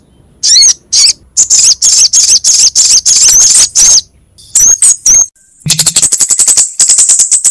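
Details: Sogok ontong and kemade on a bird-lure recording: high sharp chirps in steady series, a few squeaky slurred notes midway, then a rapid rattling run of ticks.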